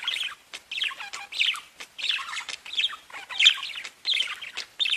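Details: Singing pet budgerigars give repeated phrases of chattering, slightly descending chirps, each phrase about half a second, separated by short breaks and soft clicking notes.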